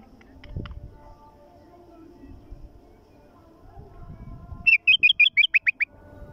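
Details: Iraqi bulbul singing: after a quiet stretch with low rumbling and faint voices, a fast phrase of seven or eight loud, evenly repeated bubbling notes near the end.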